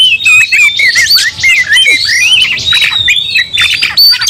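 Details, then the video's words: Agitated kacer, an Oriental magpie-robin, in a fighting song, others drawn into rage: a continuous torrent of high, sweeping whistles and harsh rasping notes, overlapping voices, barely a pause. "Kacer langsung TARUNG bongkar emosi bikin kacer lain ikut dongkrak amarah"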